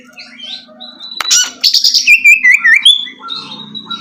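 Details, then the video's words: Oriental magpie-robin song to help a bird start singing again: soft whistles over a low hum, then a loud burst of buzzy and slurred whistled notes ending in a long clear whistle. "suara terapi kacer macet bunyi"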